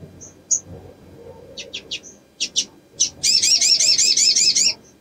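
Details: Crimson sunbird, linked to a female in breeding condition and a male's sound used as a lure: scattered thin, high chips and sharp ticks, then a fast, shimmering high trill of about a second and a half, over a faint low rumble.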